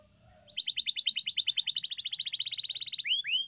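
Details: Training song of a canary for pet birds to copy: after a quiet start, a steady rolling trill of rapid pulses, closing with a few curved, slurred whistles.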